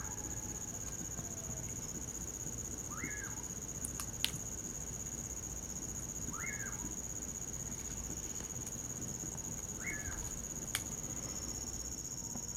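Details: Common pauraque calling in winter near a campfire, giving a single rising-then-falling whistle roughly every three to four seconds, backed by a continuous piercing cricket chorus and a few sharp clicks.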